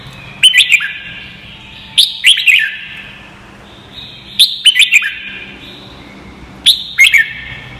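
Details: Training song of a Red-whiskered bulbul, meant to teach young birds their song: clusters of sharp, lively whistled notes with bouncy downward slurs, four bursts spaced a second or two apart over a quiet low background hum.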